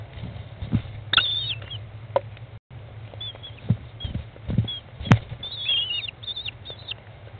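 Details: Inside a nest box, an American kestrel mother feeds chicks at day 15, 20 May 2011, 13:54, midway between hatching and fledging; repeated high squeals, one sharp then a run of short wavering ones, amid knocks, rustling and thuds.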